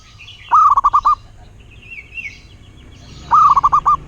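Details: Zebra dove, local and wild, giving two cooing phrases about three seconds apart. Each opens with a rising note and breaks into a stuttering run of short coos. Faint higher whistles from another bird fall between them.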